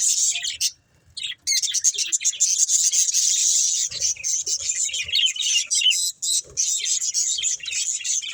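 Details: Budgies playing and eating keep up a high, hissy stream of chattering chirps, pausing once near the first second, then running steadily with a few faint low knocks.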